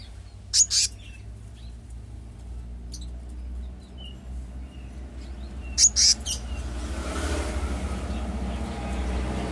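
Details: Selendang biru (kehicap ngombyok) giving two pairs of short, harsh, hissing rasps several seconds apart over low steady background hum, with a rising wash of noise near the end.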